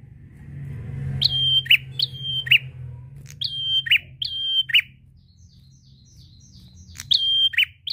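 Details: Prinia in drawn-out lure song meant to prompt other birds: paired long whistles with lower buzzy endings, then a lull where a fainter, thinner series of short notes from another bird is heard, before the prinia resumes; steady low hum.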